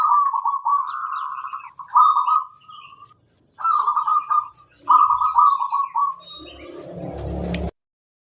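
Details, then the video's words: Local zebra dove in full performing song, used as a tutor to draw replies: trilled cooing phrases of about a second or more, repeated with short pauses, faint small birds chirping higher up, ending in a burst of rustling noise. "Suara sang masteran burung kutut lokal manggung gacorrr"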